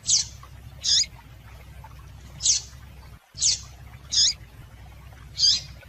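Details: A female double-collared seedeater gives six short, high, slurred contact chips, irregularly spaced about a second apart, over a faint low hum. The calls are played to stimulate captive males into singing.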